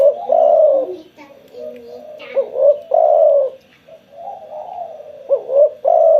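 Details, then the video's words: After sunbathing, a spotted dove coos repeatedly in soft, low, throaty phrases, with short clipped notes leading into a drawn-out coo. Faint chirps are heard in the background. "burung tekukur gacor setelah penjemuran"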